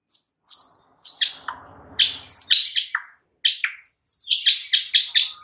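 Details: White-rumped shama singing loudly in a training recording for other caged shamas: bright, varied, high whistles and sharp chips in quick phrases, with a brief low rasp partway through.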